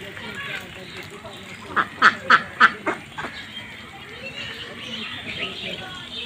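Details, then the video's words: Farmed ducks on a pond, giving a short burst of five loud, nasal quacks in quick succession around the middle, then quieter background quacking and a steady noisy hiss. "Duck Farming in Pond | Duck sound part 5"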